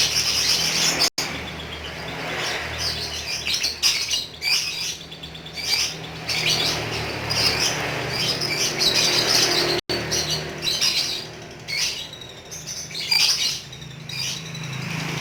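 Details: Long ngekek chatter from a pet lovebird: a busy, continuous torrent of piercing squeaks, trills and chirps with a few short pauses, the clustered bursts louder near the middle and end, soft low hum beneath.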